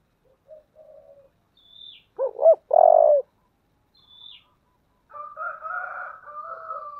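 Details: A spotted dove in the 'thổ' voice style gives its 'thúc' and calling coos: faint low notes, then two looping coos and a long, loud, level coo. Thin high chirps and another bird's warbling sounds follow.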